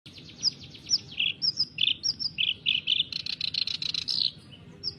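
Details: Sooty-headed bulbul (kerak basi) singing in full gacor style: a lively run of short bubbly chirps and whistled notes repeated rapidly, some buzzy bursts near the end, over a faint low background hum.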